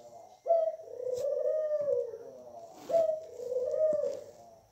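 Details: Pet Barbary dove cooing twice, each phrase a soft, rising note that runs into a long, throaty, trembling purr, with faint clicks in the background.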